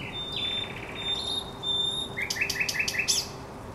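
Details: Thrush nightingale in song at Żerań Canal, 24 April 2022: a thin, sustained high whistle, then a buzzy stutter, followed by a series of five rising, chopped notes. Constant low hum underneath.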